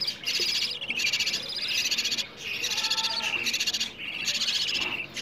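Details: Hungry budgerigar chicks calling for food, a sound used to stimulate budgies to mate and raise more young: dense overlapping rasping buzzes, long harsh bursts broken by short pauses.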